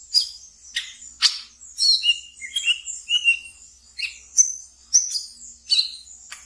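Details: Caged brown-throated sunbird from a keeper's collection singing in the chattering ngeriwik style, used to lure and stimulate untrained birds: sharp high chirps and short descending trills in quick uneven bursts, some falling to lower notes.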